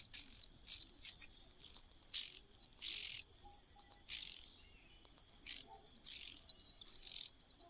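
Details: Common cuckoo begging for food in a nest: steady series of shrill, hissing bursts about two per second, each rising slightly, with very short breaks between them.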